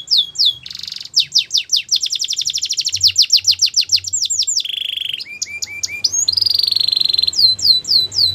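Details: Belgian canary in continuous song: fast repeated chirps and rattling trills, a steady whistled note, then looping rising-and-falling slurs, all high-pitched and rhythmic with a low background hum.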